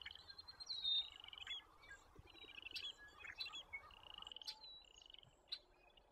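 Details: American avocets with their young chicks in Alberta; repeated sharp, high piping notes, some held as short flat whistles, others brief clipped yelps, overlapping at irregular intervals over a faint low background rumble.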